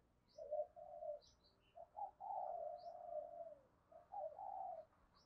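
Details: Decoy spotted dove cooing to attract wild doves: faint, mellow coo phrases rising and falling over steady background noise, with soft high chirps from other birds.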